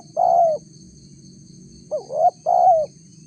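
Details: Lure recording of a spotted dove: a sustained soft coo, a pause, then a rising scooped note followed straight away by another long level-to-falling coo, against low rumble and a steady faint whine.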